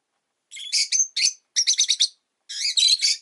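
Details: Rosy-faced lovebird calling almost without pause, strings of piercing, buzzy chirps and squeaky notes packed closely together in three quick bouts.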